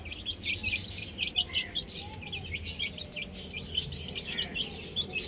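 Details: Baby hens playing on a roof, continuous overlapping high-pitched chirps from several birds, lively and unbroken, over a soft low background noise.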